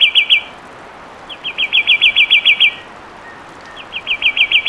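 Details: Fulvous wren repeating clear whistled trills, runs of about five to ten rapid looping notes separated by pauses of roughly a second.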